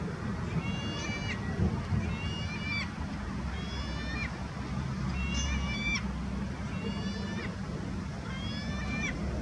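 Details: Lesser black-backed gull at IJburg, Amsterdam, the Netherlands, on 28 September 2020: short bursts of nasal, harmonic-rich notes, each burst a quick stuttering cluster, repeated roughly every second over a steady low rumble.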